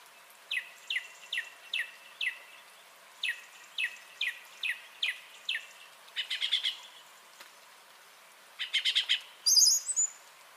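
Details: Song thrush recorded 30 January 2021, repeating one crisp downward-sweeping note in a run of about ten, then shifting to dense chattering phrases and a final high squeaky flourish.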